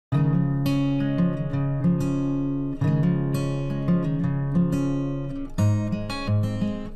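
Plucked acoustic guitar playing a repeated low chord pattern, with no animal voice heard.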